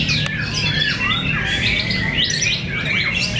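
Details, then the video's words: Murai batu fighters, white-rumped shamas, in a heated singing contest at Cibinong: loud squawks, sharp high whistles and rising swoops crowd together in a busy, overlapping stream, low rumble behind. "Pertarungan sengit murai batu fighter"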